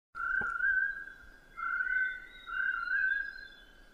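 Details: Chestnut-breasted partridge calling: long, steady whistled notes around a mid pitch, each held about a second with a faint higher overtone, separated by short gaps; a brief click near the start.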